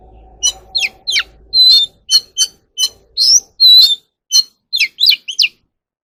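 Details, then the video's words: Caged Oriental magpie-robin in song training delivers a steady string of high whistled notes, sharp chips and slurred phrases, roughly two to three per second, over a faint low background hum. "kacer alam | choè than luyện giọng || Choè than kích bổi ra giọng เสียงนกกางเขนบ้าน"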